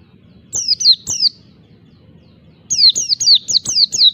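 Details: Oriental white-eye, wild-type song to goad rivals: three high downslurred whistles, a silent stretch of over a second, then six rapid falling notes in a tight run.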